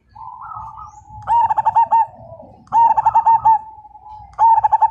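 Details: Zebra dove (perkutut) of the Majapahit line, an eager singer whose song prompts other birds to call: three loud stuttering coo phrases roughly every 1.5 seconds over a background of softer dove cooing.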